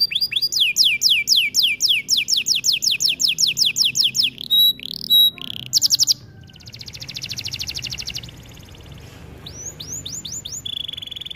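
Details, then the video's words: Canary singing for training, a long steady run of downward-sweeping whistled notes about four per second, then a pure whistle, a buzzy rattling trill, and a final set of swoops and a flat tone. "Melodies Canary bird song | Training video"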